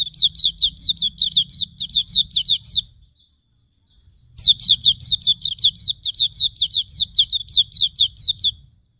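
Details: White-eye song used as tutor recording for songbirds: two long bursts of rapid, high, sharply downslurred chirps, each burst about three seconds, separated by a brief silence, over a low background rumble.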